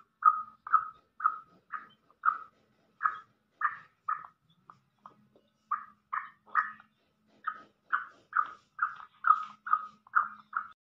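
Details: Black francolin (Francolinus francolinus), call: excites other francolins.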